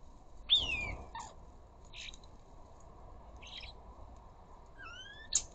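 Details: Ring-necked parakeets at a bird feeder, where flocks sit and chatter to each other: a sharp descending squeal, scattered short rasps, and a rising whistled note with a crisp final click.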